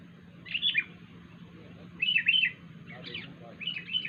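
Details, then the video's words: A wild sooty-headed bulbul makes an odd call, four separate bursts of chattering, slurred whistles spaced about a second apart, each rising then dropping; a low steady hum runs throughout. "kutilang liar suara Aneh"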